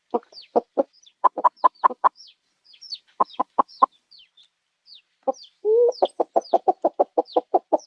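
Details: Several seconds of chicken clucking: low clipped notes in uneven bursts, high thin peeping chirps scattered throughout, a brief nasal squawk near six seconds, then a fast regular cluck series.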